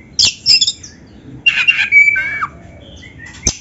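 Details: Black-breasted Oriental magpie-robin, a kept bird singing canary-style material as a lure: a few sharp clicks and harsh squawky notes, then a flat whistle sliding downward, with brief quiet gaps.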